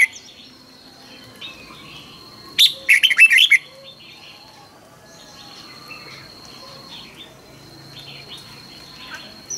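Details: One rapid warbling phrase from a red-whiskered bulbul, part of a morning song meant for training birds to sing intensely. Before and after it there is only a soft, steady high whine and faint background.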